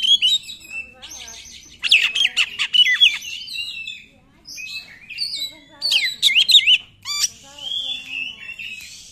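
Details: Oriental magpie-robin in 'nembak' style, used to lure non-singing magpie-robins: scratchy high notes, a loud stretch of jumpy whistled phrases, a pause, then more swooping whistles and a raspy ending.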